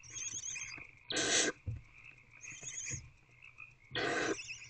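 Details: Owls in a nest box at night, 21 February 2024, older owlet eating large prey; two loud, noisy hissing bursts with fainter wheezy hisses between them, a steady high whine underneath.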